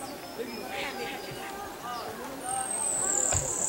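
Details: Buff-barred warbler, Long Lake, Jiuzhaigou, at 3100 m on 25 June 2014: human chatter first, then a high, rapid, slightly falling trill begins near the end and carries on strongly.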